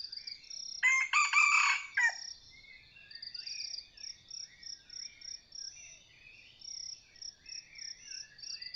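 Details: Crowing Red junglefowl, Sai Wian strain, in a decoy hunt for wild junglefowl. A single rasping, segmented crow lasting just over a second opens the recording. Afterward there is a continuous buzz of rhythmic insects with faint chirping birds.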